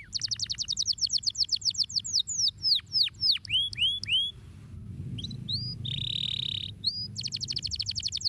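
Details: Canary song made of rapid downward-sweeping notes that lengthen into slow slurred whistles, a short pause, a buzzy held tone, then a renewed fast trill.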